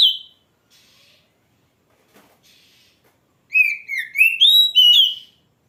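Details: Oriental magpie-robin, known as kacer: a brief whistle, quiet gap, then a lively run of looping whistled notes climbing in pitch.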